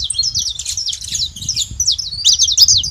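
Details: Saffron finch at a feeding spot in Brazil, calling noisily: dense run of quick, high, sharp chirps and trills without pause, over soft low background rumble.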